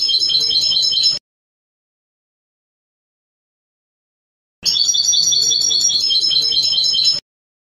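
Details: Goldfinch (European) Trnan-style singing from a 2020 CD, with a buzzy, quickly repeated high trill in two blocks separated by several seconds of dead silence; the second block runs about two and a half seconds.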